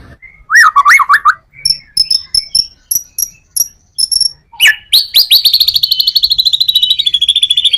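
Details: White-rumped shama performing a full-repertoire song for luring other shamas: a looping whistled phrase, then clipped high paired notes at steady intervals, then a fast, sustained buzzy trill slowly dropping in pitch.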